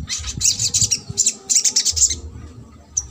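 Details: Little spiderhunter, trotol song meant to provoke a lazy spiderhunter to sing: fast bursts of very high, thin, stuttering notes in quick succession, then a pause and a final chirp.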